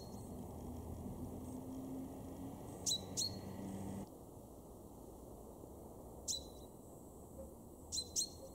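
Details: Sharp doubled 'pink' notes from a male common chaffinch in a Weener garden, East Frisia, Germany, March 2023, repeated three times with short gaps; a low steady hum fades out partway through.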